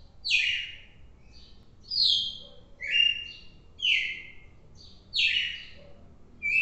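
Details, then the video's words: Song of a red-cowled cardinal, noted 4 December: bright, slightly buzzy whistled phrases, each sliding downward, repeated roughly once a second in a steady series. "galo-de-campina fantástico"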